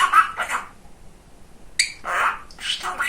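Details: Pet male budgerigar indoors, described as very chatty and funny, talking in short raspy, scratchy bursts of mimicked speech, with a pause in the middle and quieter chatter toward the end.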